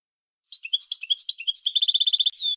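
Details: Syrian goldfinch singing a certified song style, a quick run of bright, varied twittering notes and short whistles, then an even, rapid trill of repeated chips ending in a buzzy downslurred note; no other sounds.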